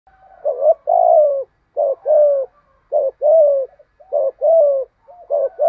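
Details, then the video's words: Spotted dove singing a well-patterned pushing coo, said to make even timid wild doves coo back; low, soft hooting coos in quick pairs and longer falling notes, phrases following each other about every second, no other sounds. "chim cu gáy bài bản thúc gù bổi nhát mấy nghe cung phải gáy theo"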